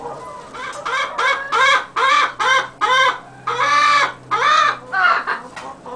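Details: A White-faced Black Spanish hen laying eggs gives about ten loud, nasal, arched clucks, single or in quick pairs, roughly one every half second, over a low hum.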